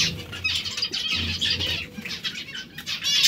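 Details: Several hungry zebra finches give rapid, overlapping, squeaky nasal calls, bright and high, in near-continuous bursts, with wing flapping and a faint low rumble underneath.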